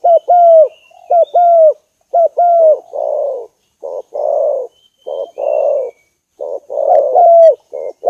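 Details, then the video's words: Decoy spotted dove giving bright paired coos at first, then a string of lower, hoarse, softer coos, with a final clear phrase near the end and a faint thin whistle in the background. "file cu moi"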